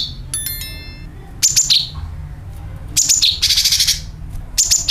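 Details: Sooty-headed bulbul lure call meant to draw in other birds: clusters of quick, bright, chattering chirps with downward-sliding notes, preceded by a brief clear whistled tone, against a steady low hum.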